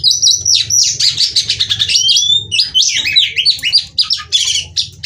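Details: Singing female white-rumped shama, a caged bird used as therapy to make males sing: fast, rich medley of chattering notes and sharp whistles with barely a pause, a low hum underneath.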